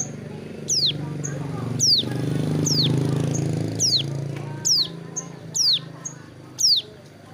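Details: Hill prinia sunning itself by a roadside while moulting its wing feathers, singing a run of loud, high, steeply falling whistled sweeps spaced roughly a second apart, over a steady low rumble of traffic-like noise.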